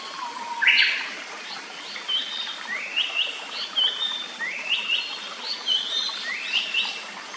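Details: Japanese paradise flycatcher, known for its blue eye-ring and bill, singing in a quiet forest near its nest by a clear stream: a harsh opening burst, then a string of short rising whistles, 'hoi hoi hoi', about every half second.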